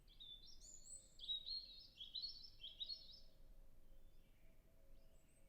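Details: European robin recorded in early spring in a natural reserve with a Zoom F6 and Sennheiser MKH 8040, singing at a distance: thin high warbled and trilled phrases, fading out, over soft wind noise and a low hum.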